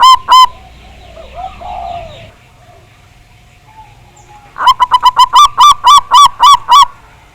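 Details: Local Javanese zebra dove with a big voice, on a recording used to lure birds into singing: a loud burst of about eight evenly repeated, ringing cooing notes near the end, after two opening notes and soft background cooing.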